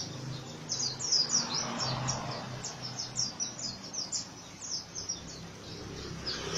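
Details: Oriental white-eye singing a rough ngriwik song: thin, high downslurred chirps in quick, uneven runs throughout, over a low background hum.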